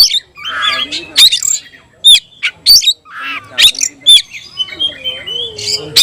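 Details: Kept oriental magpie-robin of the tayoraky variety singing: bursts of harsh squawks mixed with sharp high whistles and rapid chattering phrases, separated by short pauses.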